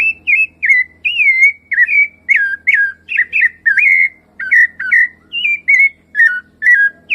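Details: Wild rufous-bellied thrush singing in nature: a continuous run of clear, fluting whistled phrases around the same pitch, each note slurred up or down, delivered roughly twice a second with short gaps, over a faint low hum.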